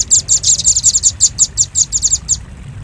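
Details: Velvet-fronted nuthatch lure call: a quick string of about fifteen high, hard chip notes that slows slightly toward the end, over faint low background noise.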